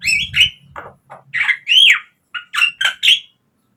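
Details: Javan myna song used to coax caged birds into singing, a jumble of squawks, rasping notes and short whistled upslurs at irregular intervals, sharp and close, with a faint low hum at the start.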